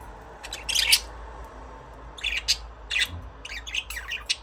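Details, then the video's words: Pet budgerigars give short, buzzy chirps in separate bursts, then a quicker string of warbled notes toward the end, all high-pitched against a quiet background. "Budgies parrot chirping sound"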